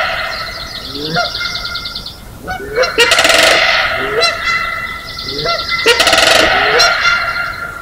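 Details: Canada Geese honk in a loud, overlapping chorus, several nasal bursts a second, mixed with rolling Sandhill Crane calls echoing across Johnson Prairie's natural amphitheater, Klamath County, Greensprings, early morning on May 4, 2016.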